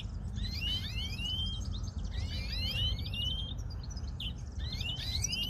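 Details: European greenfinch song: rising whistled sweeps around high pitch repeated roughly every second, overlaid by fine rapid twittering, over a steady low background rumble.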